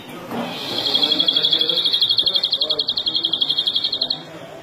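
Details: Fast rolling trill from a European greenfinch (flurya), starting quietly and swelling into evenly pulsed high notes for about three seconds, over a low hubbub of voices.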